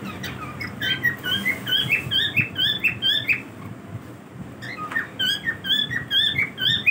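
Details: Several pet cockatiels during their daily routine, giving short rising chirps and whistled calls, repeated rapidly in bursts with a brief pause midway, over a low indoor background hum.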